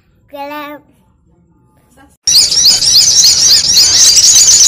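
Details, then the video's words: Sogon calls for luring: a short low tonal sound and a quiet gap, then an abrupt burst of loud, high, squeaky chattering that continues steadily. "SUARA SOGON RIBUT UNTUK PIKAT"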